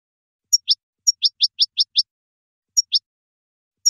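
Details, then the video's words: A goldfinch sings bright, high twittering notes: a sharp tone and quick downslurred chips in short bursts, with brief pauses between phrases. "Song of the Goldfinch"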